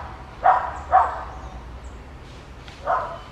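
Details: Colombian yellow-headed amazon searching for a nest to breed, giving three harsh, raspy squawks, two close together and a third after a two-second pause, over low rumbling background noise.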